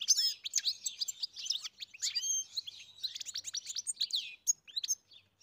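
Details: Farm-kept European goldfinch delivering a rapid, continuous twittering song of tinkling chirps, slurred whistles and buzzy notes, densely packed with few pauses.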